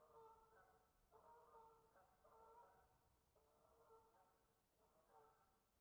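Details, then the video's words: Geese outside give five drawn-out, nasal honks, each nearly a second long, in a steady run with brief gaps between them, over a faint low hiss. "Sound geese outside"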